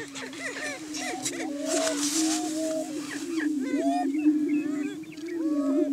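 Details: Greater Prairie Chickens in morning courtship display on a hilltop lek (booming ground) in Washington County, Kansas, in the March–May breeding season: a steady low, hollow booming drone overlaid with rapid cackles, whoops and rising yelps from several birds.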